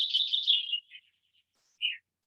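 A common chaffinch sings a rapid, bright run of high notes that slows and drops, ending after a brief pause in a short, downward-sweeping flourish.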